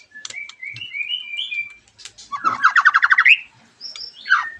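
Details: White-rumped shama song played as a lure so other shamas answer: a run of short rising whistles, then a loud rapid rattling trill, followed by a sharp whistled note.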